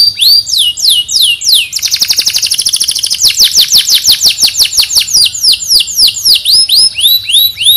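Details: A kept canary from Petarukan, Pemalang, Central Java, Indonesia, sings in fast tours of high, downslurred whistles, breaks into a rapid buzzy trill, then rolls on with quick repeated ringing notes.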